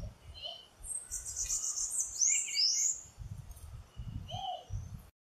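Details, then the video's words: Pale-breasted thrush calling: high thin whistled and slurred notes, some rising sweeps, given in loose bursts over about five seconds, with a lower short downslurred note near the end; low rumbling background noise in pulses. "Sabiá-barranco canto chamado"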